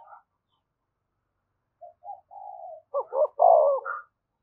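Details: Spotted dove used as a decoy, cooing to draw in wild doves: faint scattered notes build into one loud phrase of two short hoots and a long falling coo.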